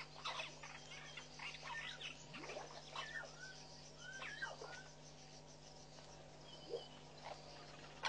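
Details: At Pete's Pond in Botswana's Mashatu Game Reserve, Southern masked weavers building their nest in February 2012. Quick chirps and slurred, down-then-up notes come in loose bursts over a constant low electrical hum.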